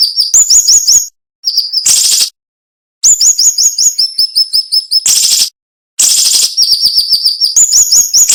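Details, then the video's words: Cinnamon-bellied flowerpecker song used as a tutor recording for songbirds, described as sharp, tight and with brief pauses. Quick runs of high, thin chips alternate with harsh buzzy bursts, with abrupt silent gaps between them. "MASTERAN SUARA BURUNG SIRI SIRI NEMBAK TAJAM"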